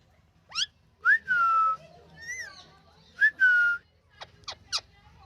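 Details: Pet rose-ringed parakeet, a rescued ringneck in India, in a happy mood: clear whistled notes, each sliding up then held steady, repeated twice with short chirpy upsweeps between, over a faint low hum.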